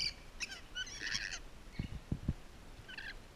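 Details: Rainbow lorikeets at Twycross Zoo during enrichment give harsh, shrill screeching bursts in two short bouts, with a few dull knocks and thumps between them.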